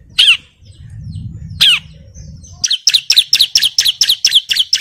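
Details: Agitated bar-winged prinia calling out a rival, singing hard and constantly. It gives two isolated sharp, high chirps, then launches into a fast run of bright, clipped, two-part chirps at about two per second.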